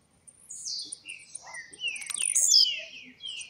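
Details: Caged blue-black grassquit out of molt singing quickly: a shrill buzzy high burst amid several falling whistled slurs, over faint steady ticking.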